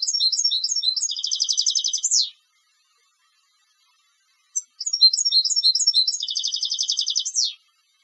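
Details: Two matching song phrases from a contest goldfinch, each a run of tinkling notes turning into a rapid buzzing trill and ending in a falling slur, separated by a short silence.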